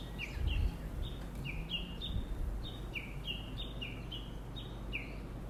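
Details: Countryside bird whose call sounds like "choregi" to a newcomer to the area: rapid, high, sliding paired chirps repeated steadily throughout, with a short low thump near the start and constant low background rumble.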